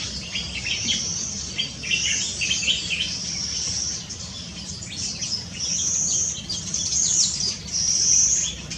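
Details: Yellow-fronted canary song from Tanji Bird Reserve Eco-camp, Gambia, 12/4/2018: bursts of fast, chattering high notes, a short lull, then clear, drawn-out whistled phrases at the close.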